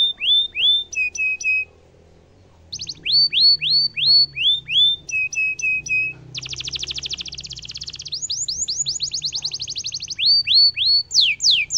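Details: Cengkok mewah canary song meant to set rivals answering and to tutor young birds: slurred whistles alternate with short stuttered notes, then a long rapid buzzy trill, a fast rising series and more slurred whistles.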